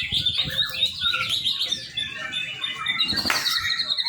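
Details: Young white-rumped shama singing quick chattering phrases, then a bright, sustained whistle near the end; notes follow each other several times a second, with light tapping noises underneath.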